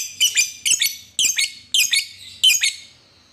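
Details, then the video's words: Lovebird call: five bursts of harsh, squeaky high notes, each a quick double squawk, spaced about half a second to a second apart, then quiet. "Pancingan Lovebird Paling Di Cari Memanggil Lawan"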